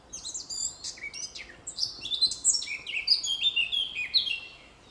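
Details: Forest song of a Eurasian blackcap: a scratchy, rapid chattering warble opens, then gives way to loud, melodious fluty whistles in a flowing, varied phrase lasting several seconds.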